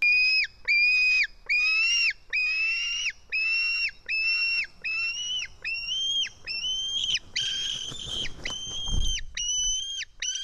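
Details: Nest-camera recording from Estonia, 4 July 2018, early afternoon: a White-tailed eagle chick begging while a parent feeds it fish. Flat, high whistled screams drop at the end, repeated about once a second. Rustling and flapping noise comes near the end.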